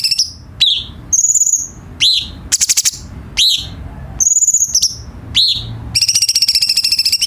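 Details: High, varied light-vented bulbul song used to tutor captive birds: quick falling notes, flat whistles and short rattles in irregular succession, ending in a long, fast buzzy trill.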